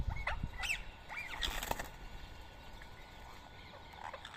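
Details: Wild rose-ringed parakeet at a morning feeding (7:00 AM, 31 March 2024, Coimbatore, India; fed soaked boiled rice) gives a quick burst of short, arched squawks, about five in two seconds, then fades out over a low background rumble.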